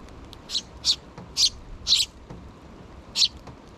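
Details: Two sparrow chicks still in the nest begging the parents for food: a quick burst of four high, harsh chirps, then a pause and one more chirp, with quiet background hiss.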